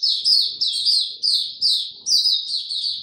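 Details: White-eye kept in a cage, singing without supplements: loud, high, down-slurred chirping phrases repeated roughly twice a second in a lively, continuous twitter.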